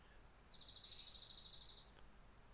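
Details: Dark-eyed Junco in a rural Mendocino garden after frost and a week of rain, giving a dry, rapid chittering trill of about fifteen even, high notes lasting just over a second, over faint outdoor hiss.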